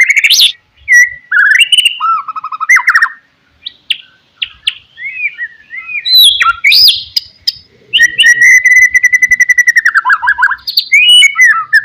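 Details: Loud varied song of a white-rumped shama, played to lure and provoke rivals: whistled phrases, downslurred warbles and chattering bursts separated by pauses, later a long fast rattling trill.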